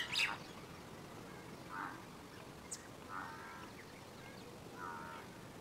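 A Red-vented bulbul gives three short, mellow, slightly bubbly phrases about every one and a half seconds, after a brief harsh sound at the start, with a quiet background hiss.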